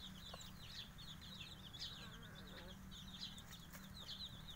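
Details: Five-day-old Javanese kampung chicken chicks peeping in a group: high, short, downward-slurred cheeps overlapping continuously, several chicks calling at once, with a steady low electrical hum underneath.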